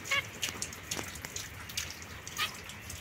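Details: Zebra finches, a young pair (white female, mosaic male) housed separately, recorded 22 September 2024: one brief nasal beep right at the start, then only scattered clicks and light rustling.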